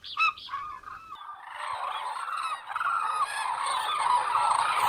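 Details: Cranes heard as a few clear trumpet notes at first, then a swelling, continuous chorus of many overlapping bugling voices.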